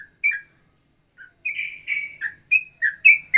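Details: Straw-headed bulbul-style ropelan song variation, described as combining cucak rowo and trucukan phrases: short bright whistled notes, some sliding down, in quick irregular bursts after a pause.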